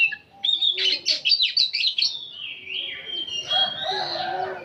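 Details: Chattering, whistled song of an old oriental magpie-robin singing without stopping, with fast loud note bursts that give way to a long sliding whistle over soft background noise.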